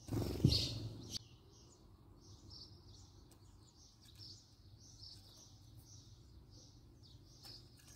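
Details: House sparrow recorded up close, a string of soft, even chirps repeated about three times a second after a brief loud rustle at the start, with a low background hum.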